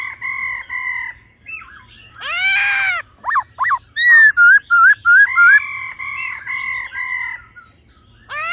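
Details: Laughingthrush pair, female ro calls with male song in old-forest voice, used to excite males quickly: long steady whistles, a harsh burst, then a run of short wavering whistled notes at about three per second.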